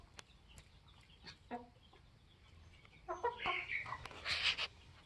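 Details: Flock of 21-week-old Polish laying hens kept with their protective rooster; a few short harmonic clucks break a quiet stretch, then a quick run of louder clucks and squawky notes toward the end, with faint rustling between.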